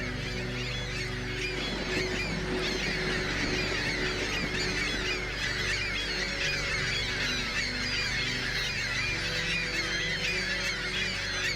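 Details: Ring-billed gulls on migration, a dense flock calling together: a constant wash of overlapping harsh, mewing cries with no pauses, over a steady low humming drone.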